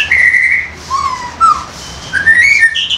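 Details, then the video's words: White-rumped shama, a young wild bird giving loud 'koar koar' song for luring: strong clear whistles, a dipping low slur, a short bright note, then rising whistled phrases ending high. "MEMANCING MURAI MUDA HUTAN KOAR KOAR"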